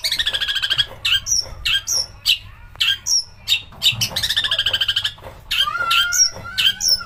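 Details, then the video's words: Lure song of a long-tailed shrike meant to provoke singing, in a mastered recording with harsh bursts. It opens with a grating buzzy rattle, then gives scattered sharp whistled notes, another harsh rattle and falling slurred whistles. "pancingan cendet agar gacor||burung masteran mewah tembakan kasar keluar semua"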